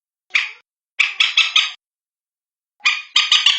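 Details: Common moorhen, called bantiung locally, from a recording used to find the birds at night (manyapung): one harsh note, then a rattling run of four quick notes, and after a gap another four-note run.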